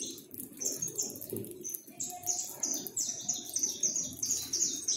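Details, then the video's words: Saffron finches, more than a hundred of them, free in a backyard while being fed and singing, give a busy chatter of bright, high, slurred chirps, several each second, with a faint murmur below. "tratando mais de 100 Canário da Terra livre em meu quintal e cantando"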